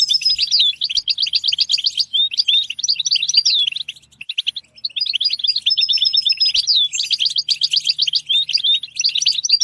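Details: Singing European goldfinch: bursts of fast buzzy trills and slurred whistles, broken by a short pause near the middle.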